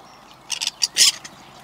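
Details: A male Common Pheasant in Recke, Germany, on 7 May 2021 gives a burst of harsh, raspy squawks, several quick notes within a second, loud and grating against a quiet outdoor background, proudly announcing his presence.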